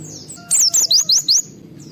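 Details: Excited, highly worked-up white-eye singing to provoke other white-eyes into song: five quick high whistled slurs, each sweeping down then up, in a fast burst lasting about a second, with a faint low hum behind.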